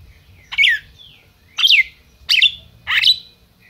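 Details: Captive-bred red-crested cardinal in Brazil calling four loud sharp downslurred chips at irregular half-second to one-second spacing, with faint low hum beneath.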